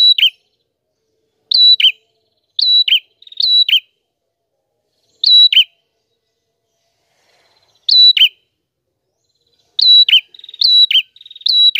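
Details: Prinia in full song, clear-voiced and suited to teaching songbirds: about nine bright phrases of a level piercing whistle snapping into a falling chirp, delivered in irregular bursts with brief silent gaps and nothing else audible.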